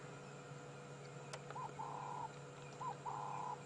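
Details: Ring-necked dove on an afternoon safari drive at sunset, 18 August 2016, cooing: two phrases, each a brief note then a long, level, drawn-out coo, about a second apart, after a sharp click, over a low hum.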